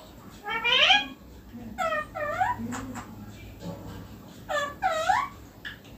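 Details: Green ringneck parrot kept as a pet, perched on neem, utters loud upward-sweeping calls in three bursts, some doubled, over a quiet steady hiss.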